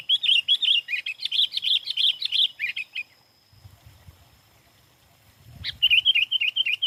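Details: Sooty-headed bulbul singing actively: rapid bubbly warbled phrases repeated for three seconds, a quiet gap with low rumble, then the chattering resumes near the end.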